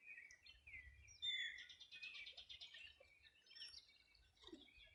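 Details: Riverside birds on the Rio Bueno, Los Ríos Region, summer morning 2020. Opens with rising whistled notes, then a rapid buzzy trill pulses for about a second and a half, followed by scattered chirps.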